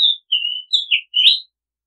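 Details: Oriental magpie-robin song for use as a decoy-bird call: a run of five whistled notes, level, then lower, then slurred downward, ending in a richer buzzy note, against a silent background.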